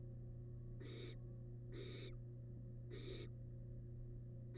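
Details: Wild barn owl nestling in a monitored nest box, tearing at large rabbit remains; three drawn-out rasping hisses about one second apart against a continuous low hum.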